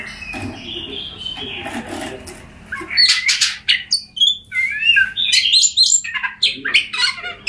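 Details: Oriental magpie-robin song used to prompt silent birds to sing: faint background murmur at first, then loud, jumbled whistles, rising slurs and scratchy chatter packed tightly together.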